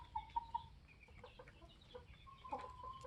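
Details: A group of Polish layers, 21 weeks old, kept with their rooster: three quick clear whistled peeps open, soft murmured clucks follow, then a longer level whistled note near the end over faint rumble.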